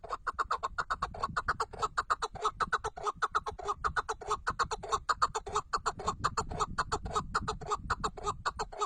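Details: Chukar partridge, described as a 'Tatar keklik', giving a long, fast run of short, harsh chucking notes, about one and a half per second and steady throughout, with a low background rumble.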